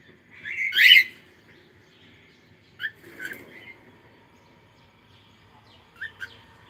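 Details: Cockatiel singing: one loud, rough screech near the start, then a few shorter, softer chirps spaced a couple of seconds apart, with a quiet background.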